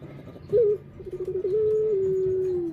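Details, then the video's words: Single coo phrase from a Barbary dove, known locally as puter: a brief emphatic opening note, a pause, a rapid wavering roll, then a drawn-out steady low tone sinking slightly at the end. "Burung Puter 2"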